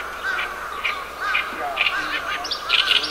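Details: Oriental reed warbler with its harsh, gravelly song, 10 June 2012: spaced rough chirps every half second or so, growing busier toward the end, against a background of continuous whistled bird calls.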